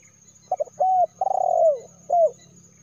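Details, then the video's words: Spotted dove coo sequence used to call in wild birds: two short notes, a smooth flat coo, a rapid pulsed coo gliding down, then a single arched coo; soft low hum in background. "SUARA BURUNG DERKUKUR TERBARU 2022 TERKUKUR PIKAT"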